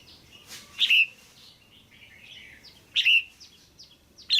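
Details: Caged female red-whiskered bulbul calling to draw a male or for pairing: two loud bursts of two bright whistled notes about two seconds apart, with softer chirps and twitters scattered between.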